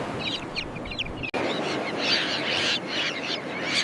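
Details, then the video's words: Common terns calling in their breeding colony, a jumble of raspy, strident cries from several birds, briefly broken by a cut, then continuing loud and overlapping over hiss. "Common Tern Colony"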